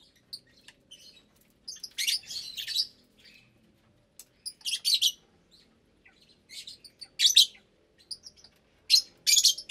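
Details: Flock of about 25 caged lovebirds, including parblue, euwing, opaline, lutino and albino birds, at meal time in an aviary with breeding pairs and chicks; shrill, buzzy chattering bursts come in clusters every one to two seconds.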